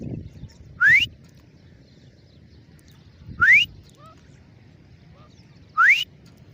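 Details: Grey francolin (Irani teeter) repeating a loud rising whistled note three times, about two and a half seconds apart, with faint softer notes between and low background rumble.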